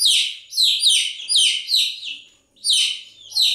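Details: Shrill, downward-gliding peeps from chicks come in quick runs of two or three notes, broken by one short pause before another burst.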